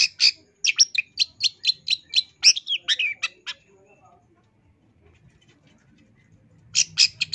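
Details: Caged-bird training song of a long-tailed shrike with 'isian tambakan' fill: a quick series of evenly spaced, bright chip notes ending in a jumbled warble, a pause with faint rumble, then more sharp chips.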